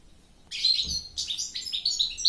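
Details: Goldfinch song starting after a short silence: quick liquid twitters and bright chirps, with a few rising and falling notes strung in a rapid, lively phrase.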